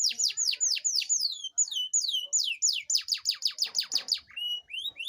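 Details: Canary song played to stimulate lazy canaries, rich and continuous: rapid series of loud downward-sweeping whistled notes, repeated several times per second, ending in a few rising slurred whistles.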